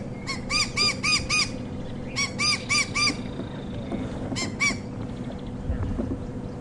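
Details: A White-crowned Shrike alarm-calls at a leopard on a dark, gloomy morning and even dive-bombs it: harsh, nasal, squeaky notes in quick bursts of four or five, then a shorter pair, over a low vehicle engine hum.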